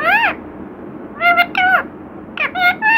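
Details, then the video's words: Talkative pet parrot mimicking the words "Radhe Krishna" indoors: three bursts of harmonic, voice-like syllables, the first sliding down, then two and three quick chirpy syllables with rising-falling inflection. "बातूनी तोता 😍मिठ्ठू राधे कृष्णा"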